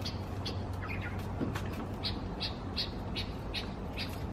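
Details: Bulbul in Israel, 30 August 2016, agitated by its reflection in a mirror: a few hoarse double notes early on, then regular sharp chips roughly every half second, over a persistent low-pitched background drone.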